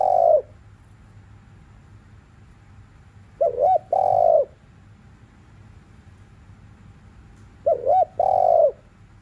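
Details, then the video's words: Thúc liu riu cooing of a spotted dove in the afternoon: a tail of one coo, then two phrases about four seconds apart, each a quick wavering double note and a sustained, soft, falling coo, over a low hum. "CU GÁY THÚC LIU RIU KÍCH BỔI BUỔI CHIỀU"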